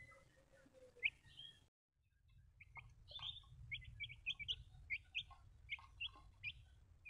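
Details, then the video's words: Small baby chicks peeping: a string of short high slurred cheeps repeated about twice a second after a brief silence, over low background hum. "Cute little Samall baby chicks"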